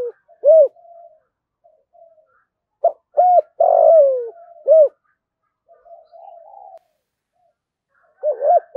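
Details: Spotted dove's luring call to provoke fighting: repeated low arched coos in spaced bursts with a longer buzzy, descending note in the middle and soft murmuring notes between phrases, against a quiet background.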